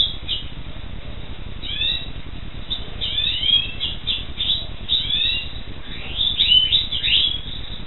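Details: Black siskin singing in clusters of quick downslurred whistled notes, repeated in short bursts that grow busier toward the end.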